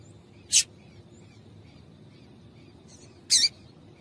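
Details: Female double-collared seedeater calling to stir a male into singing: a sharp short chip, then about three seconds later a longer, double-pulsed scratchy note, with faint background noise.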